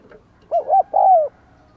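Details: One phrase from a caged decoy spotted dove of the "Giọng Đồng Còi" style, calling to lure wild doves: two short soft coos, then a longer drawn-out, falling hoot.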